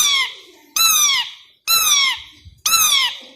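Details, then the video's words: A pet two-year-old male plum-headed parakeet, who speaks Urdu/Hindi words such as "Mithu", says a short word four times, about once a second, each a bright, nasal utterance sliding downward in pitch. "Talking Plum Headed Parrot"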